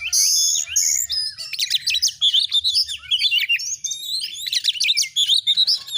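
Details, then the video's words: Loud, vigorous kacer (Oriental magpie-robin) song: long, high, sustained whistles open the phrase, followed by dense, fast bursts of varied chirps and slurred notes that continue throughout. "Masteran burung Kacer AUDIO JERNIH BUAT ANGKAT EMOSI AGAR CEPAT ON NGOBRA,Kacer gacor"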